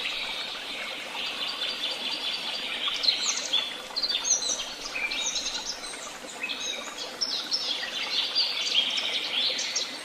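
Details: Many wild birds singing together, a dense and continuous chorus of high chirps, twitters and short whistled notes overlapping for the whole ten seconds, with brief louder bursts around the fourth and ninth seconds over a soft background hiss.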